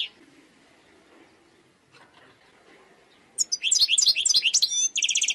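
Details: Wild European goldfinch song that starts after a quiet spell with a burst of quick twittering notes, then shifts into an evenly repeated chirping trill near the end.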